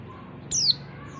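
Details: Female oriental white-eye call, used to lure males that have stopped singing into full song; a single thin, high whistled note sliding steeply downward, lasting about a fifth of a second, over faint low background hum.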